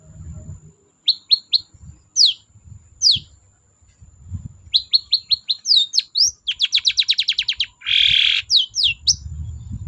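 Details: Long-tailed shrike singing as a lure to prompt quiet birds: clear downslurred whistles, some repeated three or four times, then a fast even trill of about a dozen notes and a harsh buzzy rasp, over low background rumble.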